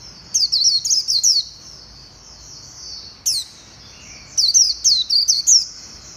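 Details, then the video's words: White-eye singing, recorded 11/7/2021, in quick twittering bursts of high sliding notes separated by pauses, a short chip near the middle and a final run of thin chirps. "Tiếng chim vành khuyên hót hay nhất"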